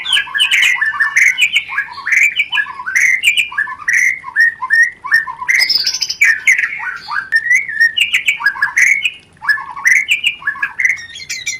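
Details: White-rumped shama, a mating lure recording; a long, loud, busy run of chattering, warbled notes repeated in quick bursts, scratchy in places, with brief pauses.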